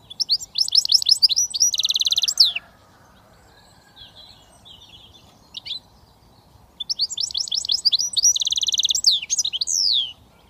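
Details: British goldfinch mule hybrid singing in switty style: quick runs of rising, sweeping chirps, then a dense buzzy rattle, a pause of about four seconds, and the same chirping phrase with its rattle again.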